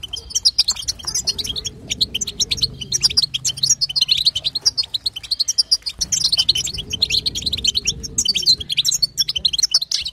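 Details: Female European goldfinch chatter, used to prompt a male goldfinch to sing: dense, rapid high twittering of short chirps and buzzy notes, nearly continuous, swelling in two bursts about six seconds apart over a faint low hum.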